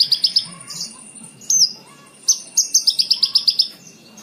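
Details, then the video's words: Cage-bird training song of the Javan bush lark: three quick chirps, a loud slurred whistle, then a long even series of rapid high chips toward the end. "MASTERAN BRANJANGAN SATU JAM FULL"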